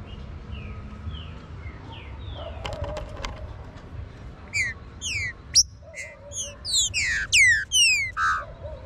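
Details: Green-winged saltator warming up in song: soft, faint falling notes at first, then a lively series of strong, downward-slurred whistles, repeated more than twice per second toward the end, over a low background hum.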